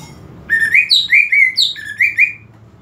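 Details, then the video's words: Greater green leafbird song for provoking aggression in a reluctant bird: a quick chain of upslurred whistled notes in alternating high and low pitches, around seven notes in all. "PANCINGAN EMOSI UNTUK CUCAK IJO KURANG EMOSI"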